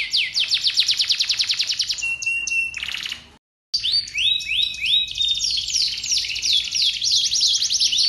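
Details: Singing canary, used to get other canaries singing. Quick repeated chips give way to a steady held tone and buzzy notes. After a short gap, rising whistles and rolling high trills follow.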